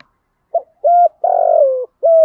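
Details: Spotted dove kept as a lure, giving a coo phrase: a brief clipped note, a steady hooting coo, then a long vibrating croo that falls in pitch, with another coo starting at the end. No other sounds.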